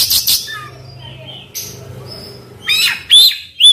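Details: Oriental magpie-robin singing rough fill-ins as a lure to make a silent bird sing loudly: a harsh burst, thin high whistles over a faint low hum, then loud rising whistled notes at the end.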